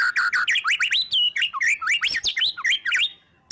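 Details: Captive white-rumped shama singing energetically, full of varied phrases, used as a lure to make other shamas sing: dense run of loud rising and falling whistles, sharp slurred notes and chattering bursts, nearly continuous for three seconds.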